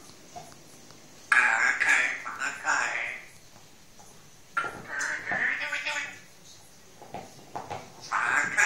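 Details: One-year-old pet Grey parrot indoors, talking: three bursts of speech-like, harmonic syllables with a voiced mid-range timbre, separated by quiet pauses, with a few clicks between.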